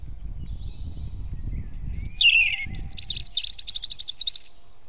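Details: Wild European robin singing near its nest in a forest at dawn, 05:38 on 8 April 2016: a high, thin phrase of sweeping whistled notes ending in a rapid, wavering trill, over a steady low rumbling background.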